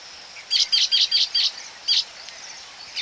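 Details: Baya weavers calling close up at a nesting colony: a run of five sharp, buzzy chirps in quick succession, a short pause, then one more, high-pitched and harsh over a quiet rural background.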